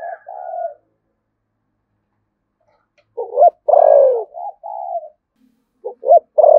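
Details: 'Thúc gù' cooing of a spotted dove in 'giọng thổ sấm' voice, Đồng Nai, Vietnam. Soft trailing coos, then a long silence. A full phrase follows: quick double hoot, long falling note, gentle after-coos. Another phrase begins at the end.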